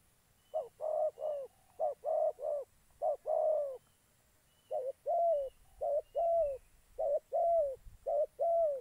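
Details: Spotted dove used as a decoy to trap wild doves in Gia Lai, Vietnam. It gives soft, low, hollow coos in short two- or three-note phrases, repeated with brief silent gaps, roughly fifty notes a minute, against a quiet background.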